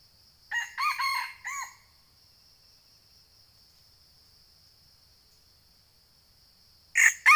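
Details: A red junglefowl during lure-trapping of males in a Sumatran eucalyptus plantation gives a short, clipped crow in three quick harsh notes, then silence and the start of another crow; a steady high whine runs throughout.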